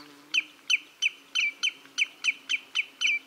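A Common greenshank gives a steady run of about ten sharp, ringing notes, three a second, high and slightly falling, with a faint low hum behind.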